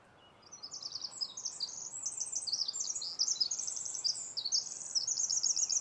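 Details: Winter wren singing in forest near Vancouver, Washington, USA, on 18 April 2010: a long, rapid, high tinkling cascade of trills and twittering notes running without pause, over soft background hiss.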